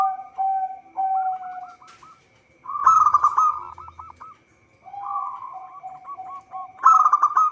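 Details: Energetic local zebra dove, song used to lure birds for trapping: a low drawn coo, then series of quick hooked notes and loud chattering staccato bursts, repeated in phrases separated by brief silences.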